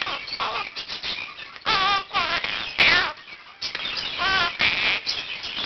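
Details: Year-old male Quaker parakeet in a room with other birds, calling at 7 am and practising learned phrases; quieter scattered chirps, then loud runs of rippling harmonic squawks around the middle and end.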